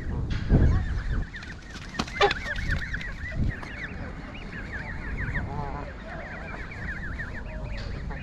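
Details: In York Castle car park, baby geese keep up rapid overlapping peeps, each a quick upward then downward squeak. Thuds and brief noises sound early on beneath a steady low rumble.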